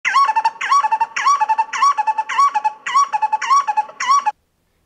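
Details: Black-collared Barbet, a Southern African bird, giving a rhythmic, ringing phrase repeated about twice a second, each with a rising note followed by quick, bouncy repeated notes.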